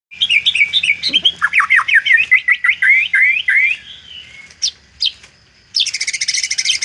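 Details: White-rumped shama singing a mimicry-filled isian song: a rapid run of downward-sweeping whistled notes, about two to three a second, then a pause, short high notes and a closing dense buzzy burst.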